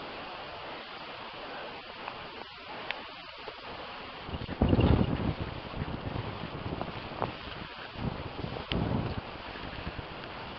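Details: Wind buffeting the microphone and a low vehicle rumble, with no animal calls heard.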